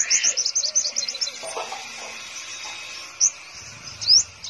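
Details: Caged five-colored sunbird in Vietnam opening with a dense, fast twitter of high notes, falling silent for about a second, then giving two separate sharp rising notes.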